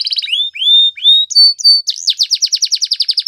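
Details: Canary singing: a fast trilled burst, then long clear whistled notes and pure tones, ending in rapid repeated down-slurred buzzy syllables.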